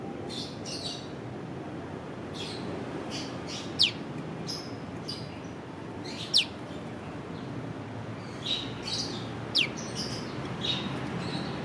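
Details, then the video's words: Piw call of a prenjak lumut prinia, filmed with a Leica V-Lux: three sharp descending piw notes scattered among busy softer chirps and twitters from other birds and a low background rumble. "Burung prenjak lumut piw piw piw"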